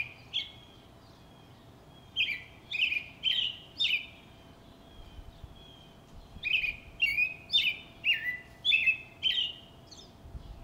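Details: A robin sings in a backyard, giving two runs of short, clear, slurred whistled phrases, a few per second with brief pauses between, over a faint steady hum.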